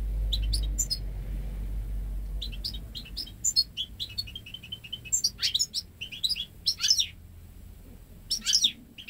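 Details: Song of a goldfinch × canary hybrid bred at home, hatched May 2013 and ten months old, which has never heard a male canary: sustained sequences of sharp, high tinkling chirps and twitters in irregular bursts, goldfinch-like throughout.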